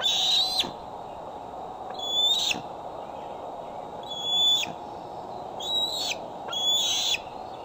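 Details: Bald eagle, a female with a transmitter fitted that day, home on her branch at Decorah in waning July light, 2011, recorded by a nest cam: sharp, high whistles with falling tails, spaced about every two seconds.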